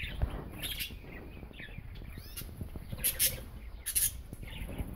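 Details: Two male budgerigars, a yellow English budgie and a blue common one, are mating. They give scattered short chirps and scratchy warbles with a few sharper squeaks, over steady low rumbling and tapping noise.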